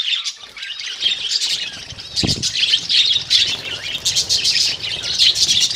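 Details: Budgerigar colony, birds kept together rather than caged, steady mass of warbling chatter and chirps with a short low thump in the middle.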